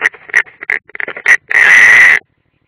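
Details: European roller, unringed, at the nest, Ādaži training ground, 30 June 2016, live camera: a scatter of quick crackly notes followed by a loud, drawn-out harsh grating call lasting nearly a second.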